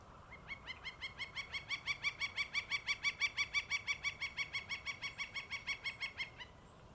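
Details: A male Northern Flicker perched on a broken tree in the morning, announcing his presence, gives a loud, steady series of about thirty ringing 'kek' notes, roughly five a second, over six seconds against a quiet background.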